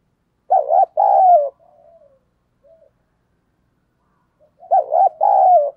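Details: Spotted dove kept as a decoy utters a loud two-part coo, trails off in faint murmurs, then repeats the hoarse paired coo after a few seconds of silence.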